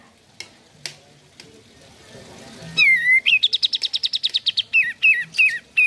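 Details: Sooty-headed bulbul, recorded to stimulate caged birds to sing: a few clicks, a swooping whistled note, a fast buzzy trill, then several loud downslurred whistles.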